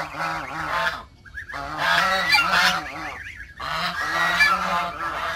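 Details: Domestic geese at a backyard honk loudly in long harsh bursts, with short wavering higher notes in the pauses between groups of calls.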